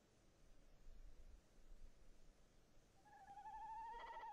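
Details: Male tawny owl in a nest box, 22 January 2018: soft low bumping sounds at first, then a tremulous hoot begins and rises in strength until the end.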